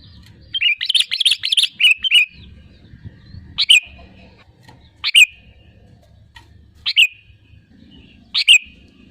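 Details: Sooty-headed bulbul singing vigorously as a lure for other birds: a rapid chattering burst, then single sharp chirped notes spaced about every one and a half seconds over soft low rumble.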